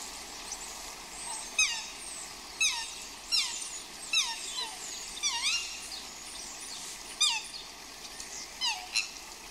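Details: Swans outdoors in the rain during courtship give shrill, down-slurred squeals, about one every second or two, over a steady hiss of rain.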